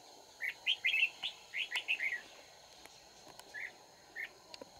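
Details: Red-whiskered bulbul recorded while trapping on 31 March 2019: a lively string of rapid, slurred whistled notes, then a pause and two isolated chirps, with a faint click or two and a steady hum.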